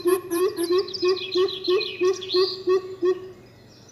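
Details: Coucals calling back and forth: about thirteen deep, slightly upslurred hoots in a steady, quick rhythm over three seconds. Busy high twittering from other birds runs behind them.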